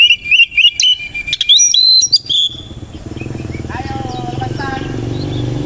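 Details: Koci Oriental magpie-robin in the morning with its tail spread. For about two seconds it gives quick, clear whistled notes and chirps. A rumbling engine and voices then take over, with faint whistles behind them.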